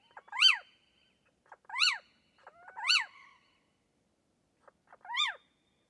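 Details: Little owl, recorded in Portugal, giving loud arched mewing calls that rise and fall sharply, four calls spaced one to three seconds apart, with faint softer notes between them; no other sounds.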